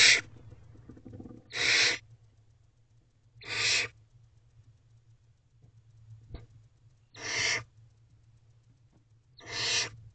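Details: Barn owl owlets in a nest box at night, 2:32 am, while the female makes sure the younger owlets get enough to eat: harsh, broad hissing screeches about half a second long, repeated roughly every two seconds, with a low steady hum beneath.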